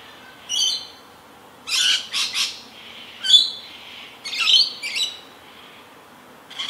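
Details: Rainbow lorikeet feeding in a frantic, acrobatic way with ceaseless calling, no rivals or predators nearby; sharp shrill screeches and grating squawks in irregular bursts, roughly fifty per minute, with brief pauses between.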